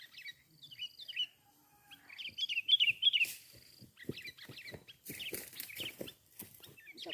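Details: Sooty-headed bulbul recorded during a bird-trapping session: bright chirpy phrases of short warbled notes in quick bursts, with pauses between, over scattered knocks and clicks from handling nearby.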